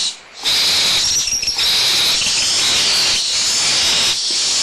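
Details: Squabbling over leftover food, young barn owls at Audubon Starr Ranch Sanctuary, April 2011, with the mother nearby: a sudden loud rasping hiss begins after a short quiet moment and carries on almost unbroken.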